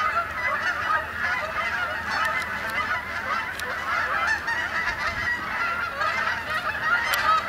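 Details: A flock of Canada geese flies in to Sapsucker Woods, Ithaca, New York, on 28 October 2017 to spend the night on the main pond. Many nasal, mid-pitched honks overlap into a steady, unbroken chorus.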